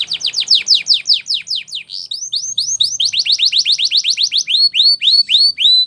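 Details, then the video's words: Spanish Timbrado canary training song: steady loud sweeping whistles in tight succession, shifting to rising, ringing notes about four to five per second, clear and uninterrupted throughout. "The Best Timbrado Canary Sounds !! Suitable For Timbrado Canary Training"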